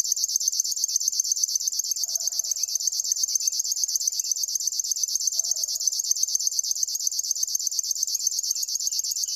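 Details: Unbroken reeling song of a river warbler: high, rhythmic, insect-like pulses at a constant rate, with occasional faint low background noises.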